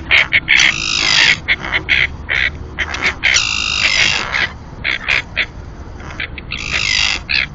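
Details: Common terns at their only Cantabrian colony, Marismas de Astillero, Santander Bay, Spain, two pairs incubating on a floating platform: bursts of raucous, rasping calls alternating with clipped harsh notes, steady low rumble beneath.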